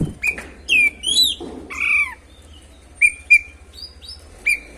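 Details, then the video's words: Oriental magpie-robin (kacer) singing as a lure to provoke rival birds: varied loud whistles, some slurred downward, a harsh scratchy burst, then short repeated whistled notes over a low hum. "PANCINGAN SUARA BURUNG KACER GACOR NGEROL BIKIN KACER LANGSUNG EMOSI‼️"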